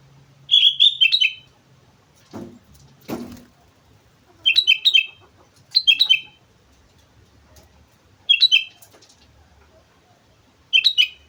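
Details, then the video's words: Sooty-headed bulbul singing vigorously at Mount Slamet: five short bursts of rapid, bubbly, down-slurred whistled notes, roughly two seconds apart, with two dull knocks early on. "suara burung kutilang gacor gunung slamet"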